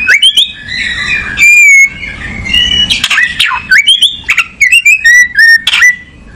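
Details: Oriental magpie-robin (kacer) in full song, alternating sweet sliding whistles with loud harsh rasping notes and quick chattering trills, repeated in varied bursts separated by short gaps.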